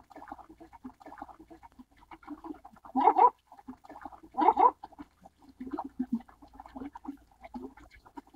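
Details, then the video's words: Baikal teal give low, clucking chuckles in a loose chatter, with two louder throaty bursts rising above the steady murmur of the flock. "巴鴨(花臉鴨)/Baikal Teal"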